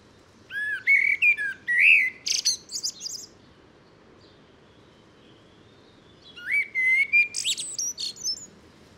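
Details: Common blackbird song in two phrases separated by a few seconds of quiet, each a string of rich fluted whistles closing with high scratchy twittering notes.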